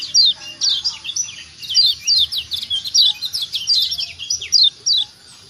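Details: Kecial kuning white-eye from Lombok calling as a lure for lazy captive birds: dense runs of thin, high, downward-sweeping chirps, several in rapid succession.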